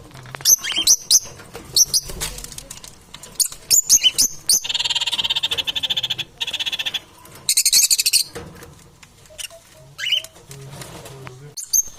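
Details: Parrots in competition for survival, giving shrill high squawks in short bursts, interspersed with harsh rapid rattling chatter and a few sharp screeches, with quiet pauses between outbursts.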